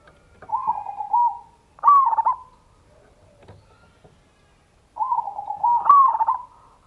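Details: Local zebra dove whose song is played as a lure to draw out other doves: soft rolling coos, each leading into a brighter fluttering trilled phrase, in two bursts separated by a pause.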